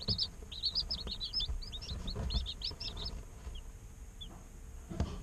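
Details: Incubator chicks a day old giving a busy run of high, wavering peeps for three seconds, then only two faint chirps, over a steady low background rumble.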